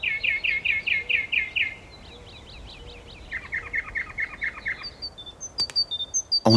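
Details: Birds singing again in a city during lockdown, once human noise had quieted: a fast series of bright, repeated chirped notes, then a lower trilled run and scattered high whistles, with a sharp click near the end and low background rumble.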